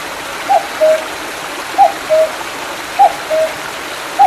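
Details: A cuckoo in the mountains behind Mandeok-dong in July 2019, after rain, gives its soft two-note 'cuck-oo', the second note lower, about every second and a quarter, over the steady rush of a small stream.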